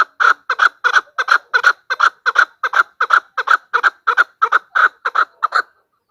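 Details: Female Chukar calling, a recording used as a hunting lure for partridges: rapid series of harsh, mid-pitched clucking 'chuk' notes, often paired, about three per second for over five seconds, then stopping; clean background with no other sounds.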